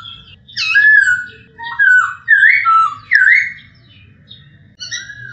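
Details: Masked laughingthrush in clear voice, recorded for training other birds: a string of four loud, rich whistles sweeping up and down, a pause, then a brief closing phrase; low electrical-sounding hum underneath.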